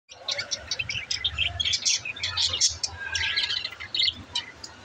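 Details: Budgerigars chattering in a dense, busy stream of short high chirps and warbled notes that overlap almost without pause, with a faint low hum underneath.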